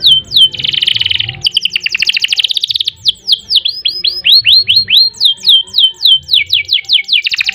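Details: Canary singing continuously in a long song for tutoring other birds, mixing a dense buzzy trill, fast rolling rattles and clear swooping whistled notes that drop in pitch, each repeated several times per second, with a soft low hum underneath.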